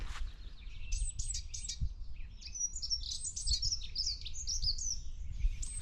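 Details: A dunnock (Prunella modularis) sings in winter, 14 March 2024, among robins, wrens, chaffinches and song thrushes: a fast, high, scratchy warble of jumbled notes in one hurried phrase, wren-like but much shorter, over a low rumble.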